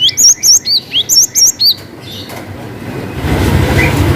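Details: Cinereous tit singing a long 'wucit' song used to lure quiet birds into singing: rapid run of high, sharp whistled two-part notes for under two seconds, then rumbling noise takes over.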